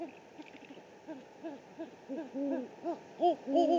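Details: Great horned owl recorded by a live camera in the Presidio, San Francisco, 3 March 2019; faint low hoots build into louder, closely spaced arched notes toward the end, over a light background murmur.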